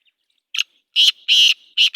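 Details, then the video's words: Kala teetar, the black francolin, calling: a brief scratchy note followed by strong, buzzy, grating notes, one drawn out, in a quick rhythmic burst with a clean, quiet background. "کالا تیتر کی آواز مست بولار"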